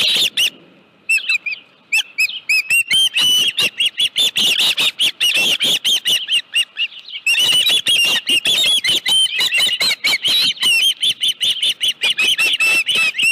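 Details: Nest-camera osprey at Dunrovin Ranch on 25 July 2018, late afternoon, with a live fish: long dense stretches of shrill, rapidly repeated chirping whistles, briefly pausing, then resuming, with sharp clicks among them.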